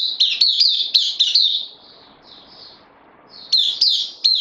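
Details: Puteh Dagger bulbul kept in a cage, newly arrived on loan, recorded 12 September 2020: quick clipped whistled notes in a rapid series, a quiet gap with faint softer notes, then the bright repeated phrase returns.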